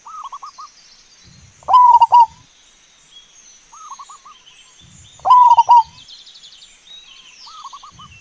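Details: Energetic wild zebra dove, local type, recorded to attract wild birds: two loud rolling coo phrases about three and a half seconds apart, softer quick coo bursts in the gaps, plus faint distant chirping and steady hiss.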